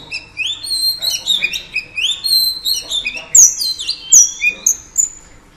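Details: Female oriental magpie-robin singing to rouse males: a lively run of clear whistled notes, upward slurs and falling glides. Sharper, higher squeaky notes come near the end over quiet background hiss.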